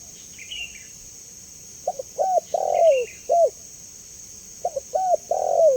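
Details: A spotted dove calls clearly, used as a lure to draw a quick response: two phrases of soft, low coos, each with a long downward-bending note, over a continuous high hum.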